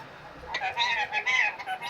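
An Indian ringneck parakeet mimics human speech in a high, nasal, buzzy voice: a few quick word-like phrases after a half-second pause, against a faint background hiss.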